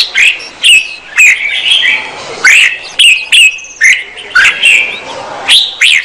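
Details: Red-whiskered bulbul female singing to stir up the male, a run of loud clear chirped and whistled notes with quick upward flicks, delivered in bursts about every half second.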